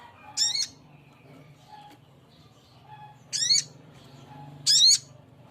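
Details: Male sogok ontong calling a female with three harsh, rasping rising notes, one early and two close together near the end, over a quiet background with faint short whistles.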